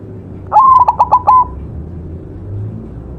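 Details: White zebra dove, recorded as a tutor singer, gives one clear cooing phrase: a held opening note followed by a quick stuttering series of short notes at the same pitch, then quiet with only a low hum.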